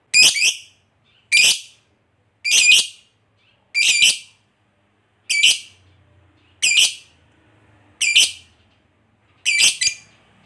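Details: Lovebird long ngekek trill used as a lure to provoke fighter lovebirds: eight sharp, high, harsh chattering bursts, each about half a second long, repeated roughly every 1.3 seconds, with faint low hum between them.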